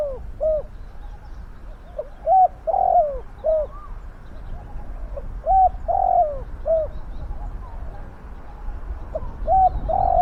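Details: Spotted dove used as a decoy to lure wild doves, giving repeated short hooting coos with drawn-out, falling notes in several phrases over ten seconds; a faint higher whistle from another bird drifts in the background.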